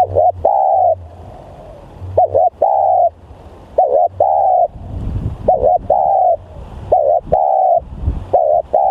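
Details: Spotted dove calling, with repeated cooing phrases: each is a short doubled note followed by a longer steady coo, about one phrase per second. Rustling noise is heard between phrases.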